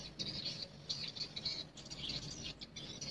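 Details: Swiftlets active in the daytime inside a swiftlet house; dense, rapid high chattering twitters in overlapping bursts, echoing as if indoors.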